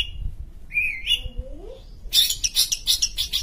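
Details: ['Sumatran long-tailed shrike, or pentet, a kept songbird, in full song. It gives a high thin whistle, then rising and falling slurred whistles at lower pitch, then bursts into a string of rough, scratchy notes.']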